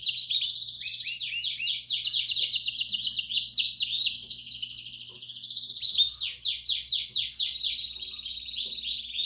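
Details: Belgian canary song for stimulating chicks: a dense, high rolling trill with rapid repeated downslurred notes, briefly softening midway before resuming in pulsing phrases.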